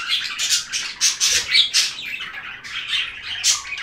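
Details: Chirping budgies in a calming bird-sound recording: rhythmic bursts of high, raspy chatter and squeaky whistled notes, roughly two per second, with a short lull before a final bright burst.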